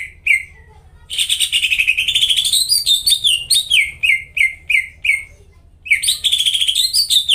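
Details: Vigorous lure song of a greater green leafbird, meant to set off caged birds that have gone quiet: a lone whistle, a pause, then a long buzzy rolling trill breaking into downslurred whistles about three a second before the trill returns.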